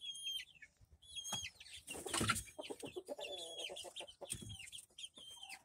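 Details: Rhode Island Red chicks, recorded May 13, 2024. Thin, sharply dropping peeps repeat every second or so, with a burst of scratchy rustling and pecking taps in the middle.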